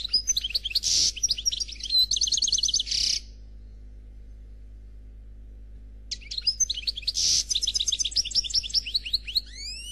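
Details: Noir Khalwi European goldfinch delivering faultless song in two bursts, each about three seconds of rapid twittering, buzzy notes and quick trills, separated by a three-second silence.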